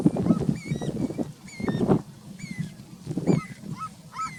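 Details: Three wild red-legged seriemas calling together while sunbathing in nature: ringing, up-slurred yelping notes with bright overtones, repeated irregularly, over low thumping and rustling bursts.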